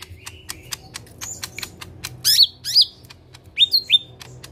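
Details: Lesser green leafbird singing actively in the harsh 'tembakan kasar' style: a run of sharp dry clicks, then loud sweeping high whistles that plunge and twist, in bursts about half a second apart, with a faint low hum behind.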